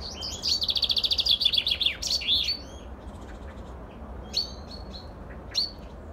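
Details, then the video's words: Common chaffinch song on 23 August 2019: bright, rattling, quick repeated notes speeding down the scale into a flourish, followed by a few scattered short chirps. "Il canto del fringuello"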